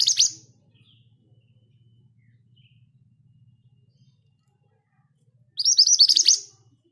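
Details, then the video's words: Scarlet minivet, known locally as mantenan gunung, a kept bird that sings readily even among other birds, in a rolling style at steady speed; a short burst of fast high sweeping notes, then near silence, then another burst of about a dozen notes. "Burung ini mudah bunyi bahkan diombyokan! Suara ngerol dengan speed yang pas. MANTENAN GACOR"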